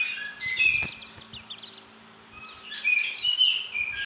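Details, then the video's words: Lorikeet, a parrot said to talk, uttering two short bursts of shrill squeaky chirps and whistled notes separated by a quiet pause of nearly two seconds, with a soft background hum. "Talking Parrot Lorikeet"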